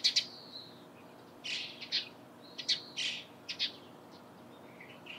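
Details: Morning calls of a Eurasian tree sparrow: bright, clipped chirps mixed with rougher, buzzier notes, given in uneven bursts about every half second to a second.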